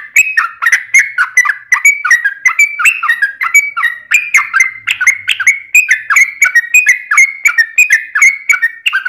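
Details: Yellow-vented bulbul (trucukan) in long rapid 'ropel' song used as a lure to make other birds sing: a continuous run of bubbly, chattering notes that jump and drop between middle pitches, with sharp clicky tops, about two notes per second.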